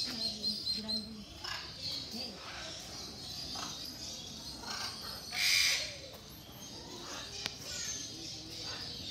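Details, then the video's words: Captive military macaws (Ara militaris) at Mysore Zoo give harsh, raspy squawks, the loudest burst about halfway through, over a steady background of voices and crowd noise. "Noisy Military Macaws"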